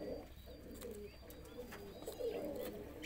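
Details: Roller pigeon giving soft, low throaty coos that swell and fade over a few seconds against a constant low rumble, with a faint thin whistle-like tone running above.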